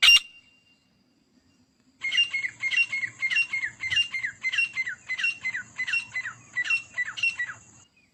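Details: Fighting partridge (teetar): one sharp note, about two seconds of quiet, then a fainter run of buzzy, down-slurred paired calls repeating at an even pace over a low hum.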